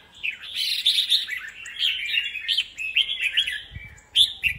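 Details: Several red-whiskered bulbuls, caged and set up together to compete, singing over one another: loud, continuous warbling phrases with sharp whistled notes, chattering and frequent pitch jumps, overlapping and unbroken for the whole stretch.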